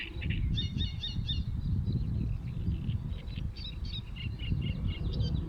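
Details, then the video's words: Birds heard on 23 May 2022: rapid series of high, thin chirps and twitters repeating in short runs, with a steady low rumbling background. "Rozmowy ptaków"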